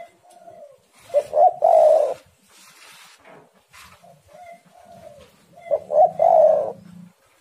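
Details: Spotted doves called hard against each other as a lure for singing birds. Two loud phrases, each of short stuttered notes then a long hoarse coo, with softer drawn-out coos between and a low steady hum near the end.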